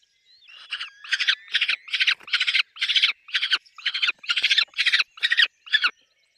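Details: Peregrine falcon at a nest with chicks: harsh, grating notes delivered in quick rasping bursts, about two each second, steady for several seconds after a faint start.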